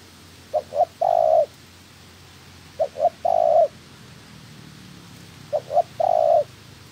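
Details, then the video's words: Spotted dove used as a decoy bird in training for trapping, giving three cooing phrases, each two short rising notes then a longer steady coo, repeated about every two and a half seconds over quiet rural background. "Chim Cu Gáy (trap bird) Tập mồi. Bổi mái thứ hai của mồi tập."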